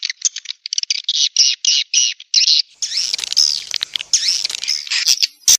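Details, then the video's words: Swiftlet calls used as a lure sound to attract swiftlets: a rapid series of dense, high, buzzy chirps in quick bursts, turning into wavering, overlapping twittering in the second half, with a few sharp clicks at the end. "Suara Burung Walet untuk Tarik"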